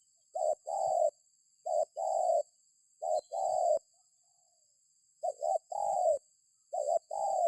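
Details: Spotted dove cooing meant to lure other birds into calling. Six phrases in rapid series, each a short note or two then a fuller sustained coo, with short pauses between.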